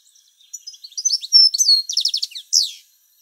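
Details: In late July a male European goldfinch sings a few dozen metres from the nest while the female incubates: a quick, tinkling jumble of high twittering notes, liquid trills, repeated chirps and a buzzy ending.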